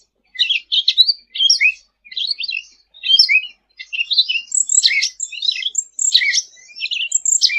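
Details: Sooty-headed bulbul in full, lively song, used as a tutor recording for training birds: dense, fast chattering twitters and short whistled phrases, tumbling notes repeated almost without pause, with no other sounds.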